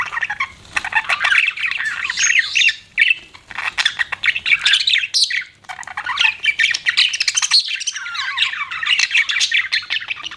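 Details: Continuous budgie warble from pet birds, thick layered chirps and scratchy squeaks, pausing briefly around five seconds before the chatter resumes with rising and falling whistles.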